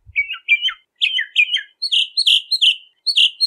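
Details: Bahama mockingbird delivering paired, repeated chirpy phrases, first lower then shifting to higher, sharper notes, roughly two phrases per second.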